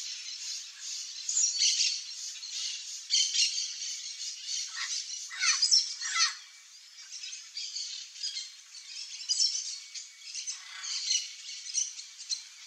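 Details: Chestnut-eared aracari pair foraging for wild fruit in gallery forest of Central Brazil: sharp, high squeaks in loose series, several dropping downward around the middle, with a constant hiss of background.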